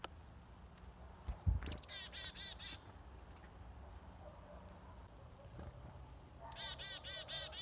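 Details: Chickadees at feeders while being hand fed: a sharp high opening note followed by a row of buzzy, harsh 'dee' notes, given twice several seconds apart over a quiet background.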